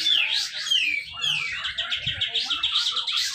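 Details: Contest bird in Malinau, North Kalimantan: a Grey-cheeked bulbul (cucak jenggot) delivering 'besetan rapet' song to stir quiet birds. Several clear falling whistles, then a fast ticking trill of short notes, with soft low noise.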